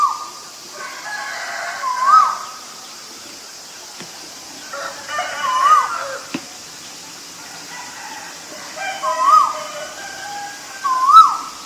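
A male Asian koel gives loud, rising two-note ko-el calls, four times about every three seconds, over a steady high insect hiss.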